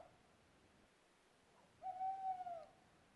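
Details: European recording of an owl: a faint trace at the start, then a clear sustained hoot of almost a second, level and tonal, ending with a slight wobble. Little else is heard.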